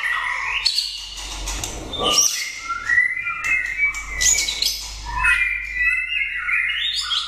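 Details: Caged competition white-rumped shama, a contest prize-winner, sings varied whistled phrases: sliding pure notes, some rising and some falling, broken by short harsh bursts, with a low hum underneath.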